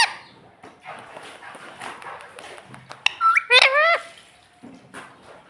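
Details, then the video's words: A pet parrot imitating the words "mummy" and "papa": one loud, harmonic, speech-like phrase of about a second that rises then falls, over a quiet background of soft household noise and faint voices. "parrot talking mummy papa"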